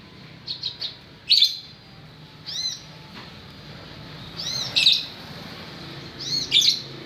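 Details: White-rumped shama mixing quick high ticks with arching, swooping whistles and harsh scratchy bursts, in phrases a second or two apart.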